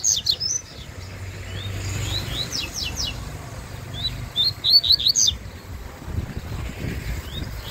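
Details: Yellow-bellied seedeater (coleiro-baiano) singing in a contest, described as fast and spirited: bursts of quick, high, downslurred whistled notes in rapid series, with brief pauses between phrases and a low background hum.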